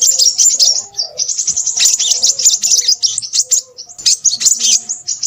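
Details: Crimson sunbird in full, busy voice, delivering a stream of piercing high twitters and quick trills with only momentary gaps.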